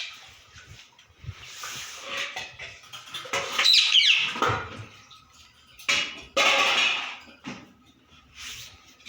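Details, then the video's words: A pet rose-ringed (ringneck) parakeet gives harsh, high, scratchy squawks in uneven bursts, with a brief whistled note; faint music is in the background. "Natural parrot voice"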